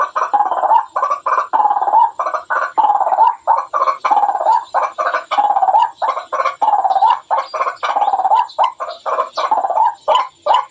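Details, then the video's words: White-breasted waterhen calling, a lure sound for trapping, with loud harsh croaking notes around the middle pitch repeated in rapid uneven bursts, roughly forty-seven per minute, packed closely without pause. "Suara burung ruak ruak paling ampuh.waakkk waakkk"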